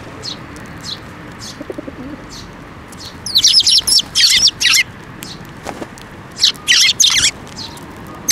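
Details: First fledgling of the year and other tree sparrows crowding in to be fed at a Tenmangū shrine, May 7, 2024; sparse chirps build to loud, harsh, rapid chirping bursts in two bouts, with faint wing flutter.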